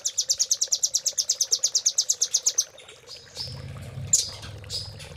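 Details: From a cililin-style master song for training caged birds, a velvet-fronted nuthatch delivers a steady rapid trill of high notes for over two seconds, then a few thin chirps over a low rumbling noise.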